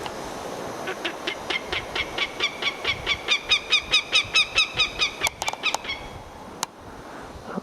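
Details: A Northern Goshawk, thought to be a female with a nest nearby, calls in spring on remote Kodiak Island, Alaska. It gives a steady run of about eighteen harsh, high notes, a little over two per second, then breaks off; a few sharp clicks follow.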